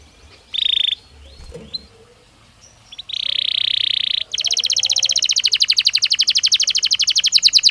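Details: Belgian canary singing, meant as a daily training stimulus: short high tones and scattered chirps, then a steady high note held about a second, followed by a rapid buzzy trill of repeated notes.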